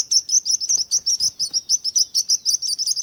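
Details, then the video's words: Bird calls in a fast series of sharp, high tweets, roughly thirteen in three seconds, with a few soft low rustles underneath. "Bird Sounds"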